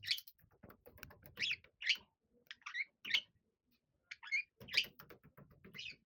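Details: Two pet budgerigars, a male of six and a female of seven, playing inside a bellows tunnel; repeated chirps and chattering warbles with frequent rustling, clattering sounds of movement.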